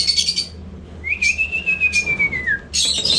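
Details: Indian ringneck parrot kept as a pet, producing a long, steady high whistle that holds its pitch for over a second and then drops, framed by harsh screeching bursts before and after, with a low background hum.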